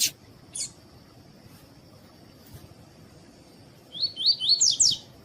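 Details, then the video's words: Double-collared seedeater, a caged bird, with two short harsh chips, a quiet pause, then a tui-tui phrase of about five rapid upslurred whistles, ending higher and buzzier. Constant faint high-pitched hum in the background. "DESTRAVE SEU COLEIRO TUÍ TUÍ COM COLEIRO TUÍ-TUÍ E FÊMEA CHAMANDO PARA ESQUENTAR COLEIRO TUÍ-TUÍ"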